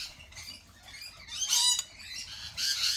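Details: Harsh, high screeching from lorikeets at a cafe, with a loud rasping burst midway and another shrill burst near the end over a constant background of chatter.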